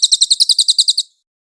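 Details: White-eye (cililin) tutor recording with clear voice: about eleven high, bright chirps delivered quickly and evenly over roughly one second, then silence.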